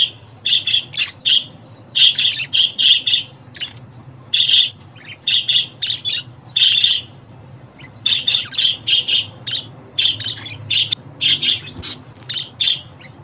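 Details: Calling sounds of a budgerigar for male and female pet budgies: long stretches of fast, stuttering chirps in rapid volleys, a short lull midway, then more dense chattering bursts.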